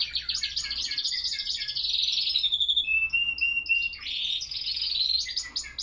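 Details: Spanish Timbrado canaries singing at 07:46 am in 5°C cold and 87% humidity; fast high trills and warbles, a pure whistled note mid-way, then renewed rolling trill and short chirps.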